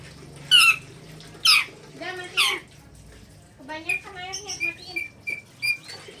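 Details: Red lory letting out three loud, rasping screeches about a second apart, followed by human speech and fainter chirps.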